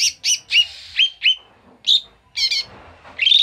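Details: Bulbul known as koto or cucak mini singing agitated ngamuk song, a lure recording: a quick series of short, emphatic, slurred whistles and harsher chatters packed into a few seconds.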